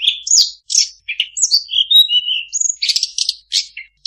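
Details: Long-tailed shrike mimicking other birds with a quick mix of whistles, slurred descending notes, a long thin whistle, and bursts of buzzy chirps.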